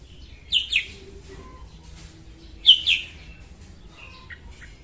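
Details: Female red-whiskered bulbul, morning song used to train birds and draw them to traps: two paired, sharp whistled notes, repeated about two seconds later, with quieter chirps in between.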